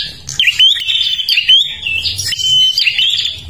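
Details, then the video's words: Energetic song of a Kalimantan prinia, played to attract other birds; rapid high buzzy warbling with a few clean sustained whistles and sharp upslurred notes, flowing continuously, soft low hum beneath. "perenjak kalimantan gacor untuk pancingan"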